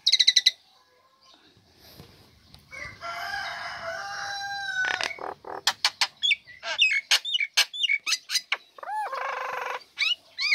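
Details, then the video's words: A female Nias common hill myna, just uncovered from its cage, sings at once: a loud, varied run of sharp whistles, clucks and piercing notes, with a harsh rasping stretch and crowing-like calls, used as a lure for lazy birds. "Jalak Nias Betina Buka Krodong Langsung Gacor Cocok Untuk Pancingan Burung Malas"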